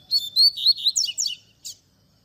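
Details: Double-collared seedeater singing a tui tui zel zel phrase, played to teach young birds. Clear whistled notes give way to fast down-slurred trills. A single short note ends the phrase, followed by silence.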